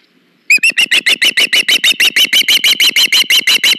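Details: Osprey at a nest cam, a female being brought a fish by her mate, August: loud, rapid series of sharp whistled chirps, about three per second, starting abruptly after a short silence and continuing steadily.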